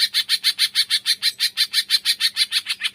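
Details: Green leafbird giving its tembakan song style, played to spur reluctant birds into singing: fast, harsh, buzzy notes repeated about five times per second, evenly spaced and steady in loudness throughout, with a faint low hum behind.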